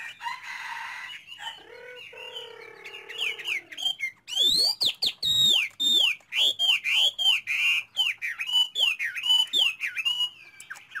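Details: Chinese hwamei song beginning with mixed buzzy and scratchy notes, then a powerful series of sharply up-and-down slurred whistles repeated almost twice a second, very loud and ringing.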